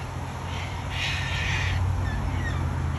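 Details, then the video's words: Single long, grating screech from a wild Australian cockatoo, lasting nearly a second, with a constant low hum underneath. "Australian wild bird COCKATOO sounds"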